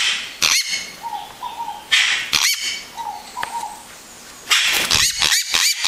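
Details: Yellow-rumped cacique singing: loud, harsh, crackling bursts separated by short, clear, level mid-pitched notes, with a rapid run of clicking, rasping bursts at the end.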